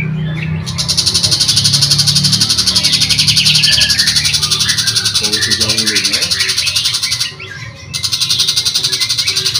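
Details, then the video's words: A long-tailed shrike sings a fast, scratchy chatter of varied chirps, set against a steady high hiss with faint music underneath. "Pentet Macan Gacor Dor"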